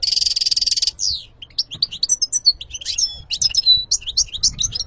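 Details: European goldfinch song: a fast buzzy trill opens, then a rapid jumble of high twittering notes, sharp chirps and short liquid phrases, clear and loud without other sounds.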